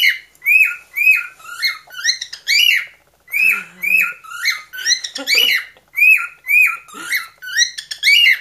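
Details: A pet cockatiel sings a newly improvised song, a quick run of bright, slightly squawky whistled notes repeated almost twice a second; he invents new songs every few weeks.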